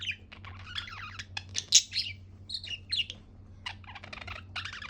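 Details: Happy budgerigar chirping: a quick run of high, varied chirps and warbled twitters, some sharp and clipped, others slurred, with short pauses between bursts over a steady low hum.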